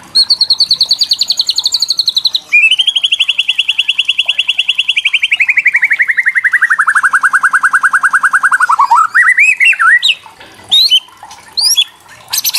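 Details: White-rumped shama (murai batu) kretekan to provoke young birds: a high trill, then a very long fast rattle descending gradually in pitch for six seconds, ending in looping whistles and sharp high notes.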